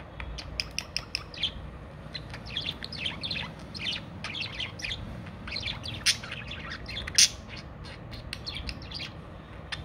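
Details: Cockatiels (Nymphicus hollandicus) chatter with quick, high chirps and sharp squawks overlapping in a busy flock.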